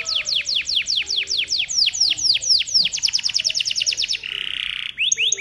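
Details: Canary in long melodious song meant to set other canaries singing: a fast run of repeated descending whistled sweeps, accelerating into tighter notes, then a dry buzzy trill and more sweeps.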